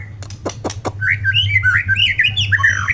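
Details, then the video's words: Murai batu singing: a few sharp clicks open into a lively string of looping whistled phrases, rising and falling, varied and continuous, with a steady low hum underneath. "Burung murai batu"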